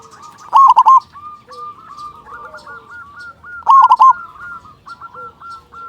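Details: A local zebra dove sings as a lure to get other zebra doves singing fast. Two loud three-note cooing bursts come about three seconds apart, over continuous rolling, repeated coo notes from nearby birds.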